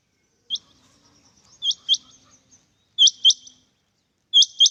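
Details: Male rain quails calling: sharp, high, metallic notes given in quick pairs, a pair about every second or so, with short silent gaps between the bursts.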